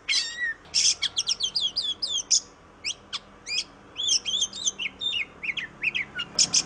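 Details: Kacer, the oriental magpie-robin of Indonesia, a favoured songbird; rapid varied song of repeated downslurred whistles, harsh buzzy notes and quick chirp runs, phrases delivered continuously with short gaps.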